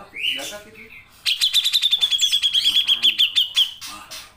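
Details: Grey-cheeked bulbul in lively song, its long 'nembak' style used as a tutor recording for songbird keepers: a few scratchy whistles, then a fast even run of sharp high notes, about a dozen in two and a half seconds.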